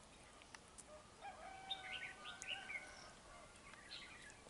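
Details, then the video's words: Red-whiskered bulbul singing while fighting at a trap, spreading its feathers in a territorial contest; a dark-bibbed bird. Short, rising and falling whistled notes come in scattered bursts over steady background hiss. "Bẫy chào mào VIP ĐẤU XOÈ ÔM CÓNG HẾT BẢN"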